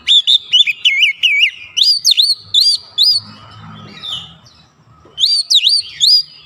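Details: White-rumped shama song played as a lure to provoke rivals: quick series of sharp, swooping whistles, a short pause with faint rustling, then the loud whistles resume.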